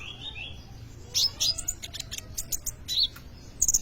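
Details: Sunbird known locally as kolibri ninja in lively song, played as a lure or tutor for untrained birds: sparse, very high clipped chirps and sharp ticks arriving in uneven bursts over a faint low hum.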